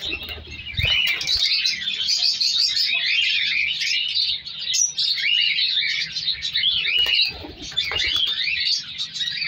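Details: African lovebirds in a breeding colony where chicks are being separated out keep up a dense, shrill chatter of high chirps and squeaks, many calling at once, with soft thumps of movement.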